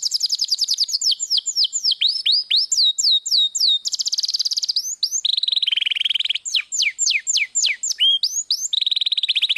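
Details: Intense canary roller song, used to train other songbirds, mixing rapid downslurred whistles repeated several times a second with stretches of dense mid-pitched buzzy trills that recur throughout.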